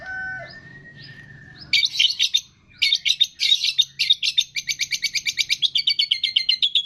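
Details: Long-tailed shrike training song holding mimicry of cililin, fighting sparrow, lovebird, tengkek and kapas tembak. Soft whistled notes first, then loud scratchy chatter bursts that settle into a fast, even run of high chirps.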